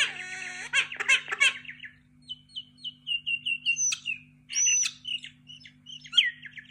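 A myna opens with harsh, raspy squawks, then shifts into a run of clear whistles and chirps, some sharply rising or falling. A faint steady hum sits underneath.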